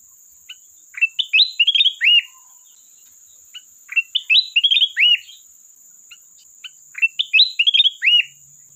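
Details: Sooty-headed bulbul calling a rival: the same cheerful phrase of rapid up-and-down whistles closing with a drooping note, repeated three times about three seconds apart, over a steady high electronic tone.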